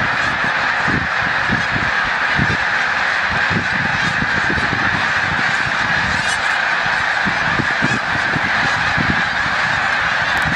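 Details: During near-peak migration at Montezuma, New York, on 7 March 2022, a snow goose flock takes wing, its honking calls merging into a sustained, roaring chorus over repeated low rumbling thumps.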